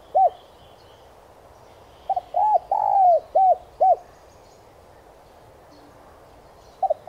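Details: Spotted dove cooing used as a lure to make trainee doves call: a lone coo, a pause, then a phrase of five notes that includes a long drawn coo, and a single coo again near the end.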